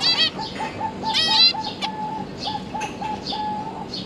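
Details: Zebra finches, two parents feeding three juveniles, 31 October 2022: clustered nasal buzzy calls early on, alongside a steady, repeated short mid-pitched tone that continues throughout.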